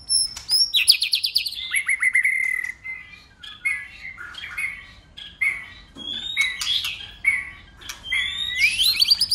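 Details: White-rumped shama in fighting song, flicking its tail and switching voices continuously: loud varied whistles, a high note sliding down into a long level whistle, then chattering rising and falling phrases.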